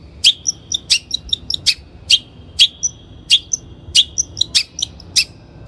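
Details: Long-tailed shrike (Lanius schach), recorded as a lure for training birds: rapid, irregular series of sharp clicky notes with thin sustained whistles and tiny high chips mixed in, fairly dense and lively, against faint low hum.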